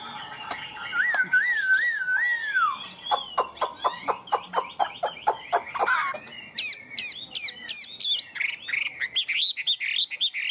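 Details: Caged tame Chinese hwamei singing high: a wavering trilled whistle, then a long run of rapid sharp clicking notes, ending with loud repeated upswept whistles and bubbling warbled phrases.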